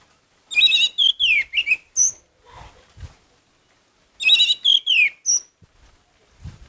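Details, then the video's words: Gacor singing of an orange-headed thrush, said to stir up emotion: two matching bursts of rapid, rich whistled and warbled notes, each ending in a high thin whistle, with a few softer lower notes between them. "Anis merah gacor Mendongkrak emosi"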